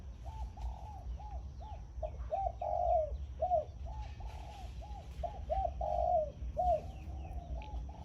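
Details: Zebra dove decoy bird in a cage, singing khan yon style in the morning: a long run of quick, hollow, bouncing coos broken by rolled, throbbing notes, with light twittering of small birds in the background.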